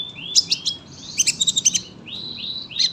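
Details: Sunbird used as a song tutor for other birds, giving high rising slurred whistles and a quick series of bright ticking chirps.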